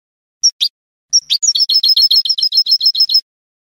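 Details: Goldfinch of Spanish lineage performing salon-style song: two sharp opening notes, a brief pause, then a long rapid series of bright, repeated, metallic trill notes; recording otherwise silent.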